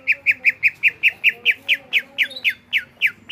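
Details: Loud greater green leafbird song: a fast, regular series of about seventeen sharp downslurred whistled notes, each lasting a fraction of a second, repeated roughly five times per second.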